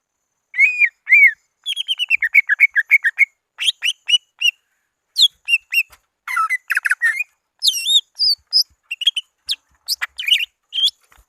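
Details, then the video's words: Greater green leafbird, a lure recording meant to call rivals: a varied stream of clear whistled and chirping notes, short rapid runs of repeated slurred whistles alternating with rising and falling phrases, separated by brief pauses. "Suara Asli pikat CUCAG IJO BIG memanggil lawan"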